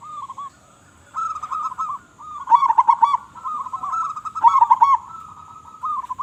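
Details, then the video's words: Zebra dove of a local strain, described as strong-voiced, repeating rolling staccato coos almost without pause. Louder bubbling flourishes are heard around the third and fifth seconds. The notes hold an even pitch throughout. "Perkutut Lokal Gacor Suara Besar"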